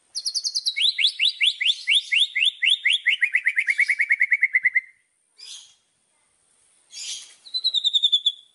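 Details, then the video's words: Murai (white-rumped shama) isian fill-in song: a long fast trill of about thirty notes sliding steadily downward in pitch, followed by brief hissy bursts and a short high twitter. "BURUNG MURAI‼️ SUARA ISIAN KUMPLIT"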